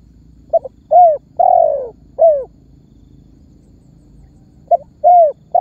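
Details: Spotted dove giving its calling and pressing coo, used as a lure to make other birds call: two phrases of a short note, a mellow coo, a long drawn descending coo and a final short coo, with a quiet gap between phrases.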